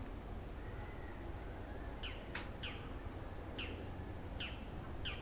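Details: Bull-headed shrike calling near a greenhouse, puffing out its belly: sharp, short, downslurred calls given singly at irregular intervals over a steady low rumble of background noise.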